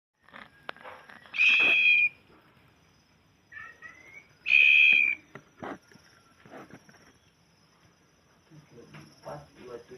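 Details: White-rumped shama: two loud, pure, level whistled notes, each held about half a second and a few seconds apart, between fainter scattered chips and ticks.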